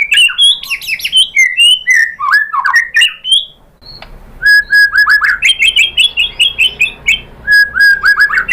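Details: White-rumped shama song meant to provoke other birds to respond and sing their full repertoire: rapid varied whistled phrases, a brief pause, then repeated clear whistles mixed with sharp chattering notes.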